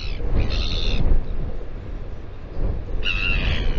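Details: Royal albatross calling at the Taiaroa Head colony near Dunedin, New Zealand, on a live camera: two short nasal harmonic calls, one near the start and one at the end, with strong wind rumble in between.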